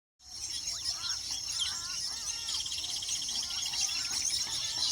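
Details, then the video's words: Weaver birds at their nests: a busy chorus of short chirps, slurred whistles and rapid chatter, with a steady, high insect-like hiss running throughout. "sights & sounds of weaver birds nesting"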